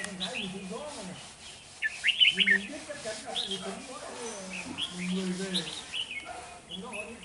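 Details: Decoy red-whiskered bulbul singing to fight rival birds at a trapping session, 13 November 2018: scattered sharp, high warbled notes and a brief rapid flurry, over low steady human voices.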